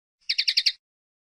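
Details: Common linnet song fragment: a quick run of five bright, high chirped notes evenly spaced, in clean silence.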